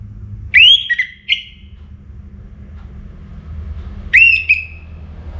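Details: Orange-headed thrush (anis merah), kept songbird in North Bali, singing toward dawn; a rising whistled slur with a couple of brief notes, then nearly three seconds of quiet before another rising whistle trails off.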